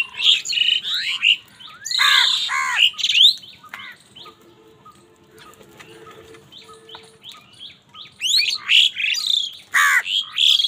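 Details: Several angry crows fighting over food give harsh, hoarse, downslurred caws in rapid overlapping bursts, then a quieter lull with faint background hum before the squabbling caws resume.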